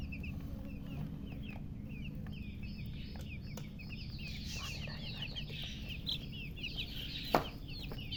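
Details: Newly hatched chicks peeping loudly: many quick, thin, high chirps overlapping throughout over a steady low hum, with a sharp click near the end.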